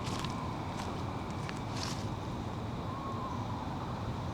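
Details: Steady low rumble of wind and distant traffic with a few soft footstep-like clicks, and no clear animal voice.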